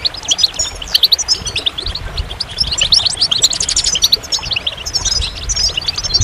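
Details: Goldfinch song: rapid, twittering high notes with tinkling trills and short buzzy phrases running almost continuously, with a faint low rumble underneath.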